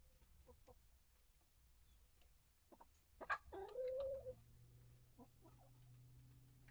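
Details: Chicken inside a mixed-breed backyard flock's coop, mature hens with younger birds added in 2023: a sudden sharp note, then a drawn-out, level, nasal squawk about half a second long, among quiet clicks, pecking and a low hum.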